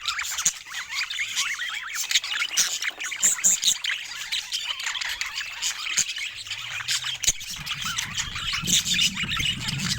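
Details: Nonstop twittering from several pet budgerigars, high buzzy warbles and chirps running together, with a soft low hum near the end.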